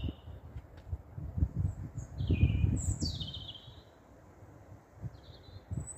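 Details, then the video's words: European robins singing at night under street lights in Staple Hill, Bristol, 13 April 2020: thin, high, varied phrases of descending trills and sweet notes separated by pauses, over a steady low rumble. "Robins singing at night"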